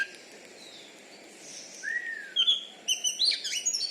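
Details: Oriental magpie-robin kept as a contest bird in Bengkulu, Indonesia; after a quiet start, a long descending whistle leads into quick sharp high notes and short chatter toward the end.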